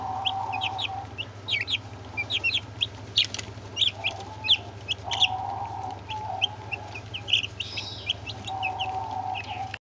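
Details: Brahma chicks mixed with two Orpington chicks peep steadily: thin, high, downward cheeps spaced irregularly from several birds, over intermittent mid-pitched droning, a few clicks and a persistent low hum.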